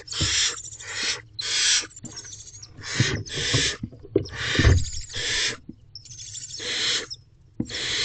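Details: Barn owls in a nest box before dawn, 5:41 am on 26 April 2023, while the male brings in prey: rasping, noisy screeches of about half a second, repeated irregularly amid rustling and knocks.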